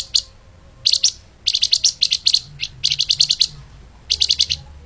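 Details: Flamboyan bird (Mugimaki flycatcher) singing a soft, fast, tightly packed song used to train other songbirds: short bursts of sharp, high ticking chirps, three to nine notes each, separated by brief pauses over quiet background.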